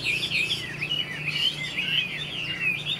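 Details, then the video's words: Chinese hwamei, a caged bird hatched this year, singing bright, high whistles that twist up and down in quick, looping phrases without pause, above a soft low hum. "Họa mi chuyền năm nay, cực kỳ tố chất, vẩy đuôi khướu, hót tốt"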